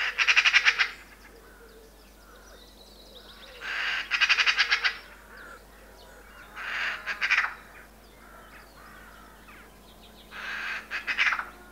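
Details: Eurasian magpie calling with a loud chuckling rattle, four separate bursts of harsh, fast-repeated chattering notes spaced a few seconds apart, over a quiet rural background with faint hiss.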